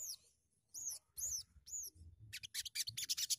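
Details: Sogon bird song: three or four high arched whistled notes, each rising and falling, followed by a rapid run of dry buzzy chattering pulses, repeated quickly.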